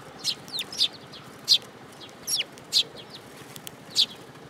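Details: At a Tenmangu shrine on 7 July 2022, sparrows approach a hand to take food, giving bright, clipped chirps roughly once a second, some with quick downward slurs.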